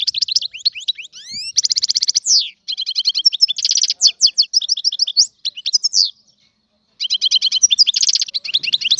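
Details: Algerian European goldfinch in full song: rising whistled slides, rapid rattling trills and tinkling twitters in long phrases, a brief pause, then another quick trilled phrase.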